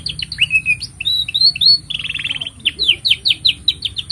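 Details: Lively canary song used to train young canaries: quick whistled slides, a dense buzzy trill, then rapid repeated descending sweeps at a fast steady pace, faint hum beneath.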